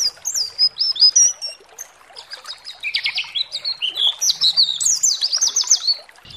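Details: Pleci (white-eye) song used as a provoking tutor call to make other birds sing: rapid high twittering phrases with sweeping whistled notes and buzzy trills, dense and continuous, rising toward the end.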